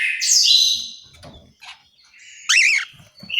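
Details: Caged orange-headed thrush in a Malang, East Java aviary giving two short, loud song phrases: a sweeping whistled opening, a pause with faint rustling, then a wavering warbled flourish.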